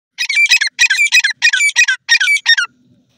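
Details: Grey francolin giving a loud, harsh, grating call: about seven quick ringing bursts in close succession, each made of several rasping notes, delivered in a rapid run that stops abruptly, followed by near silence.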